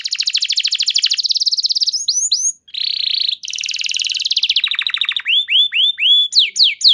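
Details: Canary singing as a lure to get other canaries responding and singing: fast high rolling trill, a brief harsh buzzy burst, another long trill, then looping upward whistled notes.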